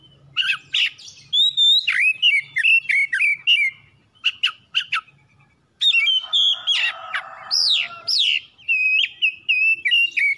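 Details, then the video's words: Oriental magpie-robin singing to provoke other birds into song: rich whistled phrases, rapid chirps and downslurred notes in energetic bursts, a short pause near four seconds, then a buzzy rasping passage among the whistles. "PANCINGAN KACER LANGSUNG NYAUT GACOR"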